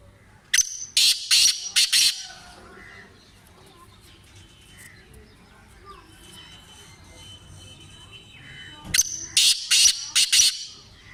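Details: Black francolin, a Sindhi bird kept for training; two loud bursts of harsh, grating notes about eight seconds apart, each a rapid series of five or six strokes, with quiet background between.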